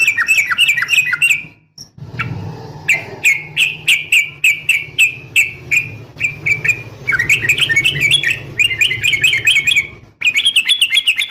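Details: A female yellow-vented bulbul calls a male with continuous cheerful chattering, in rapid repeated note groups that quicken into busier warbling near the end. A low steady hum runs underneath throughout.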